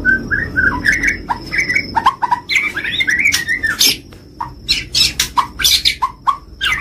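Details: White-rumped shama, a champion-grade songbird, singing varied short whistled slurs and sharp high clicks, with a steady thin tone running faintly behind the song.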